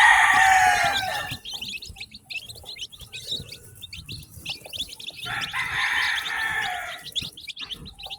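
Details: Newly hatched farm chicks giving a steady stream of high, thin chirps, broken by two loud, harsh, sustained calls at the start and near the middle.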